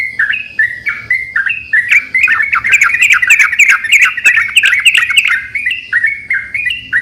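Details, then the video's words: Loud singing Yellow-vented bulbuls answering each other as a lure: measured warbled phrases build into a dense, overlapping chatter of several birds before easing back to single phrases. "pancingan burung trucukan gacor saling bersautan"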